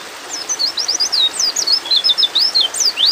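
A white-eye gives a rapid stream of thin, high chirps, about two a second, with slurred rising and falling notes and a soft background hiss.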